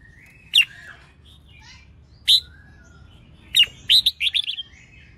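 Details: Female red-whiskered bulbul singing to stimulate males: sharp single chirps spaced apart, then a rapid run of rising and falling whistled notes near the end.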